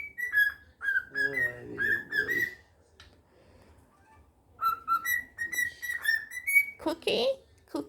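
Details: A pet cockatiel whistles "If You're Happy and You Know It" in clear, pure notes around two thousand cycles, with people talking nearby; it whistles back when a neighbour whistles to it.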